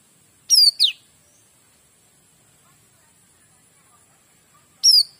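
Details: Kapas tembak calling with high, bright, sharply descending chirps, two quick ones close together and another after four seconds of near silence. Clean recording with little background noise.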